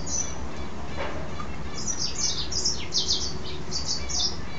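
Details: Mule goldfinch hybrid in song after bathing, pouring out quick bursts of high, squeaky twitters and slurred chirps in a lively run over a faint low room hum.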